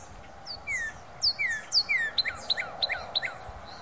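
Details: Cardinal singing in late February 2012: a few long, clear, down-slurred whistles, then a quicker run of short, sharp, descending notes repeated roughly three times a second, over steady outdoor background hiss.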